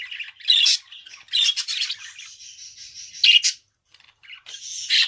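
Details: Budgerigar chattering in buzzy, scratchy phrases broken by bright squawks, a steady rasping drone in the middle, then a short silence before the chatter resumes.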